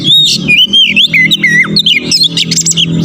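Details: Oriental magpie-robin (kacer) song aimed at provoking rivals: a continuous run of sliding whistles, dipping and rising notes, and high sweet phrases over a low hum.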